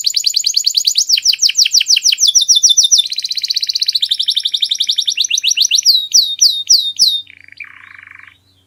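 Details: Canary masteran song, called the clearest: fast trills of falling notes, a smoother rolling section, spaced arching whistled notes, then a short lower buzzy rattle fading out.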